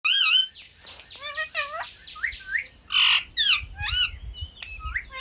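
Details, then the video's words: Pet parrot showing off its mimicry and varied sounds: a quick sequence of harsh squawks, bent whistled notes, and rising and falling yelps, each under half a second. "Funny Talking Parrot || Parrot Sounds & Mimicry That'll Make You laugh"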